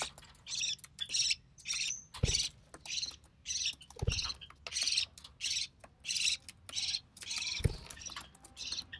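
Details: Recessive pied budgerigar chick, hatched early June 2020 to a white recessive pied father and albino red-eye mother, being fed: rapid series of short scratchy rasps, roughly two per second, punctuated by a few low thumps.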